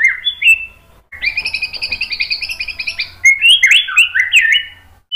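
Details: White-rumped shama singing for a training recording: a rising whistle, a fast even trill about two seconds long, then loud, looping slurred whistles that rise and fall.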